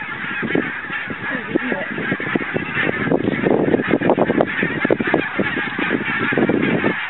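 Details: Barnacle Geese on Arran and Islay in 2009: a dense flock chorus of overlapping nasal honks and yelps, calling rapidly and continuously throughout with no pause between birds.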